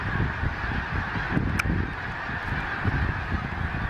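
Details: Huge flock of wintering snow geese, migrants from the Arctic, flying around Gordon's Pond in Cape Henlopen State Park, Delaware, late December, gray overcast after rain; dense, continuous roar of overlapping nasal honks with low wind-like rumble beneath.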